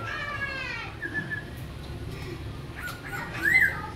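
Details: Black-throated laughingthrush from Cao Bằng, a young bird with its tail still growing in, kept in Hanoi, sings a rich, wavering run of rising notes, then a few short, clear whistles over a steady low hum.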